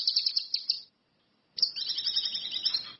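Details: Wild orange-headed thrush, called cucak kinoi or ranti mas, singing actively: a short run of high staccato notes, a second of silence, then a long, tumbling warbled phrase with overlapping high tones.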